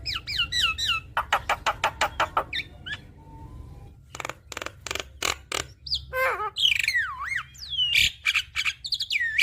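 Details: Javan myna song with plenty of varied phrases, played to get a reluctant bird singing. It holds looping whistles, fast trains of clicks, low hums, sweeping slurred whistles and harsh chacks.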